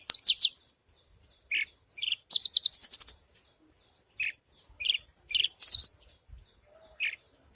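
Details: Javan bush lark of the parva subspecies, used as a lure recording for other larks; high chirps and short buzzy trills mixed with brief rising notes, delivered in scattered phrases.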